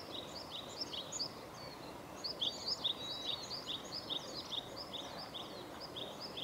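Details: Varied tit (Sittiparus varius) singing high, thin whistled notes in quick, uneven runs over steady outdoor hiss; recorded at Gongenyama on 11 April 2021.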